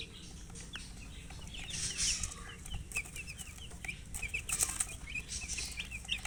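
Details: Baby chickens, thirsty for drinking water, peeping in scattered short, high, downward-sliding chirps, a few overlapping, mixed with brief rustling and flapping bursts.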